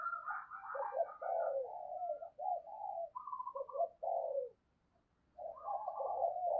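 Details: Spotted dove kept as a decoy, cooing to bring in wild doves: continuous layered mellow coos with a brief silent break, over a faint background hum.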